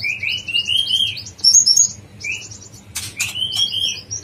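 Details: Yellow-vented bulbul (konin) in 'dacok blorok' style, a very vocal training recording for songbirds: a run of clear whistled notes, repeated and slightly rising, with higher twitters above them and a brief flutter near the end.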